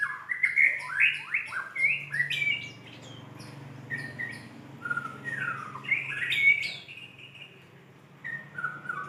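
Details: White-rumped shama singing vigorously to call a female: a rich, varied run of loud whistled phrases, slurred rising and falling notes and sharp chips tumbling rapidly one after another, with a brief quieter pause midway.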